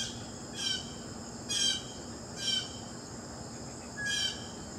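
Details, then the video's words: Four harsh, raspy calls from a blue jay, spaced about a second apart, each a short noisy burst with stacked tones. A constant high-pitched insect hum fills the background. "Blue Jay Birds Sounds"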